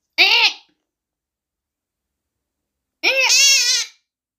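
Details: Monk parakeet (quaker parrot) giving alert squawks at bedtime: two harsh, raspy calls rich in overtones, a short one followed about two and a half seconds later by a longer, wavering squawk of nearly a second, in a quiet room.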